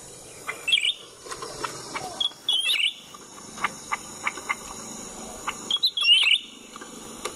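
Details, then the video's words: Black-headed bulbul by a road during cage trapping, giving bursts of sharp, high, twittering chirps at the start, middle and end, mixed with scattered clicks and steady insect-like hiss. "Mikat cucak ranting pake kandang"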